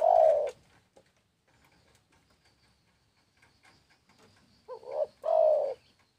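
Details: {'text': 'Spotted dove cooing: a brief fragment of a coo opens, then after a quiet gap a complete phrase follows, a short wavering double note and then a longer, steady, throaty coo.'}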